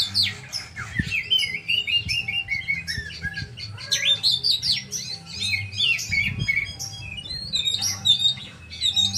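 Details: An oriental magpie-robin pours out a fast, varied stream of whistles, trills and harsh chips, with brief quieter gaps, against a constant low droning hum.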